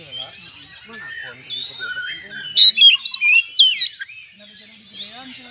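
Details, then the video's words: A lure recording of an Oriental magpie-robin singing hard in ngeplong style to anger rivals into fighting. Quiet, scratchy warbling leads into a sudden loud burst of sharp sweeping whistles and trills lasting over a second, then fades. "PANCINGAN KACER GACOR BIKIN EMOSI TARUNG NGEPLONG"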